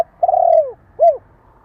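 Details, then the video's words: Spotted dove cooing, in a recording meant to stimulate and train young birds: one long, smooth, slightly falling coo, then a short arched coo after a brief pause, in a quiet setting. "Tiếng chim cu gáy kích bổi,tập bổi nhanh nổi hiệu quả"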